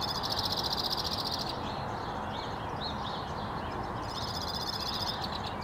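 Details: A male white-winged crossbill sings in early April 2017 in northwest Regina, Saskatchewan, Canada: a fast rattling trill, then a few sweet rising and falling warbled notes, then another rapid trill, all over constant low background hum.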